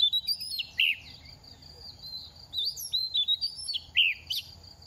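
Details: Oriental magpie-robin during moult, two seasons old: quieter scattered whistles and chirps in short bursts, some rising, some dropping sharply, spread through the passage with a steady high tone.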